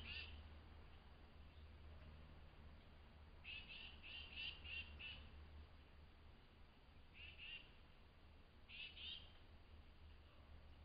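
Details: Tufted titmouse calling excitedly at dawn at a flying squirrel feeding station in a forest. Faint, clear notes come in short runs of three to five, separated by pauses, over a steady low rumble.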